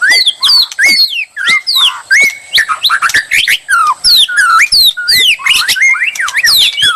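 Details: Provoking song of a white-rumped shama aimed at drawing a fearless reply; crisp whistled phrases about three per second, many steeply falling slurs mixed with short held whistles.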